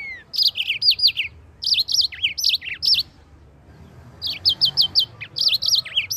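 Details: Continuous rolling song of a yellow-fronted canary, played to teach white-eyes to sing: lively phrases of high, bouncing, slurred notes, a short silence, then a rapid string of sharp repeated notes.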